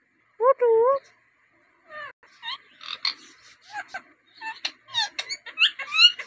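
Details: Rose-ringed parakeet, a native talking bird, running through varied sounds: a clear, wavering whistle-like note, then a stream of short chattering, squeaky syllables that grows busier and louder toward the end.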